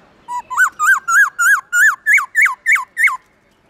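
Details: Black-throated laughingthrush giving its long, loud, clear forest-voice song in the morning: a rapid even string of about eleven arched notes, each rising then dropping, creeping slightly higher toward the end.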